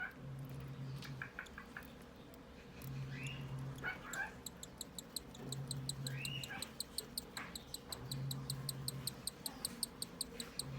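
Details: A newly hatched cockatiel chick being fed for the first time by its first-time mother, 2 December 2020, begs with a fast, steady stream of high ticking calls.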